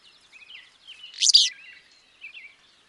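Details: Burry, buzzy two-part phrase of a Willow flycatcher in Wisconsin, loud in the middle, surrounded by faint twittering of other birds.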